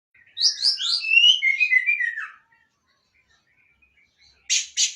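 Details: Orange-headed thrush song: a rich two-second phrase of quick varied whistles tumbling from high to lower pitch, followed by silence and two sharp high scratchy notes at the end.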